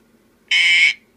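A sun conure gives a single short, harsh, croaking burp lasting under half a second.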